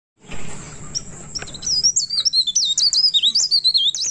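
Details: Pied bushchat singing continuously at midnight: a rapid run of high, sharp, twisting whistled notes, some trilled, pouring out from about two seconds in, with a steady thin high hiss and a faint low hum beneath.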